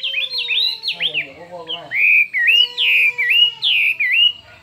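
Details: Chinese hwamei in a fiery contest song: fast arching whistled notes, then a rhythmic series of loud swooping phrases. Faint steady low tones run underneath, and there is a brief rattly passage.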